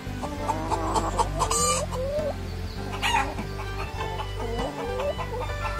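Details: A hen clucking, short rapid clucks rising and falling in quick bursts, over steady background music throughout.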